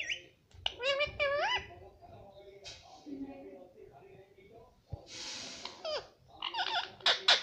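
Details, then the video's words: Pet parrot kept indoors, talking: bursts of rising and falling harmonic notes around one second in, quieter murmuring, then a harsher burst and more short wavering notes near the end. "Parrot speaking Mittu Mittu"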